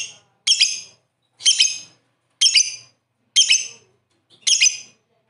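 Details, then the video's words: Master lovebird singing nonstop. Five loud, harsh chattering bursts repeat about once a second, each separated by a clear silence. "Master lovebird 100% ngakak gacor"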